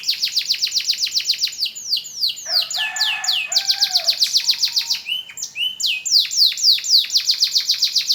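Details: After its moult, an AF canary works on its song: quick repeated downward-sweeping whistles, interrupted midway by softer lower warbling notes, then the rapid downslurred series returns strongly.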